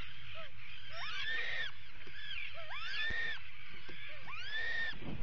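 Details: Atlantic puffins at their burrow while one is attacked, live burrow camera, 19 July 2019; three strained, upward-sweeping calls, each turning into a harsh, breathy rasp, about every one and a half seconds, over soft colony background.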